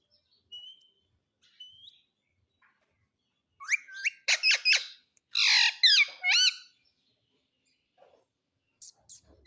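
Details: Pet parrot talking indoors: two thin whistles, then a burst of harsh, rapidly rising and falling squawky syllables mimicking speech, a short pause, and a few faint clicks at the end.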